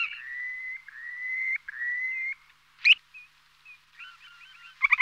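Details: Purple sandpiper (Calidris maritima) giving three long, slightly rising high whistles, then a sharp note and a quick run of short chattering notes.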